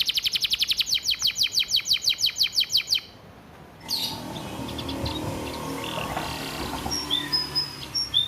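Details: Canary training song: fast, regular trill of short high notes for about three seconds, a pause, then faint scattered chirps over background noise.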